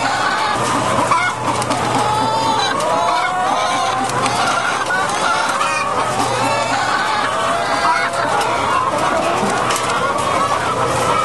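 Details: Laying hens kept in cages on a French egg farm, February 2012: an unbroken din of many hens squawking, cackling and whining together, pitch wavering constantly, over a low machine hum.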